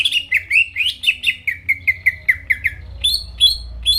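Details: Greater green leafbird song used to trigger rivals: a regular run of about twelve short slurred whistles, roughly four per second, then higher clear whistled notes.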